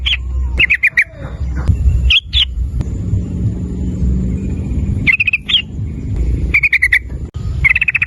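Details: Yellow-vented bulbul (trucukan) singing vigorously in a lure recording meant to prompt other bulbuls into rapid 'ropel nguklik' song: short bursts of bubbly, liquid chattering notes, each burst about half a second, separated by pauses, over a steady low hum.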